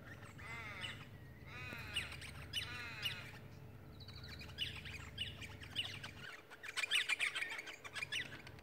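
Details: Cockatoo calls from one of two cockatoos, with three rosellas and a kookaburra also present. Harsh, harmonic-rich squawks repeat through the first three seconds, followed by scattered chirps and bright twittering over a steady low hum.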